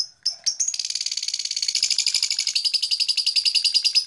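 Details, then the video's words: A blue black-masked lovebird gives a few sharp opening notes, then a long steady stream of shrill, high chirps, about ten per second. "Beautiful Lovebird Long Chirping Sound - Blue Black Masked Lovebird"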